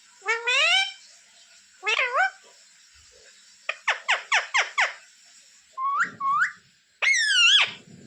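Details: Pet parrot mimicking speech, asking for roti and calling mummy: separate harmonic syllables with wavering pitch, a quick run of five clipped notes in the middle, and a long swooping phrase at the close, over a steady high hum.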